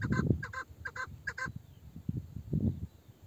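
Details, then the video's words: Old meri, a female chukar partridge whose voice sounds male, gives four short doubled harsh clucks in quick succession, then falls silent while low thuds and rumbling continue. "Aranan yaşlı dişi(meri) keklik sesi (Erkek sesli meri keklik sesi)"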